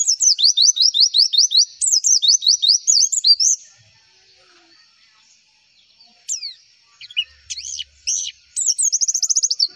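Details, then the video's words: Javan white-eye (pleci) song used as a tutoring lure: fast runs of high, sliding chirps, about three per second, broken by a pause near the middle before quick twittering resumes. "MASTERAN AMPUH PLECI, Klik sekali semua pleci pasti nyaut"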